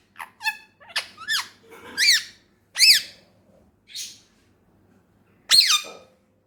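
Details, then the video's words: Talking ringneck parrot indoors: clustered upward-arching shrieks and squawks, spaced with short silences, ending with one loud harsh burst after a two-second gap. "بولنے والا طوطا"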